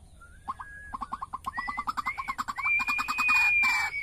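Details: A one-year-old pet white-breasted waterhen, described as increasingly vocal, gives a fast run of short clipped notes, about three per second, quickening and climbing slightly, while a steady high whistle runs over the second half.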